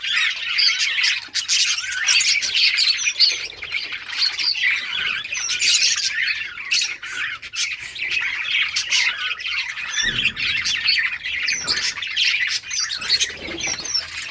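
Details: Colony of budgerigars during summer breeding, recorded August 23, 2023: long unbroken flock chatter of squawks, warbles and high peeps, many birds calling over one another.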